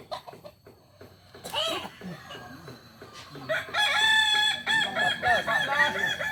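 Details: At a practice crowing event in Solok, kukuak balenggek roosters: a few short clucks and broken notes at first, then a loud, bright, rippling multi-syllable crow carrying strongly for the last three seconds, with background chatter.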